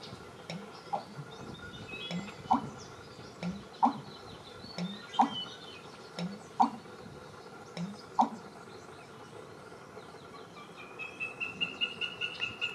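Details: American bittern breeding call at Ridgefield Wildlife Refuge, Washington State, 14 May 2021: deep, gulping pumps in a steady series with sharper knocks about every second and a half; a rising trill at the end, likely a Wilson's snipe.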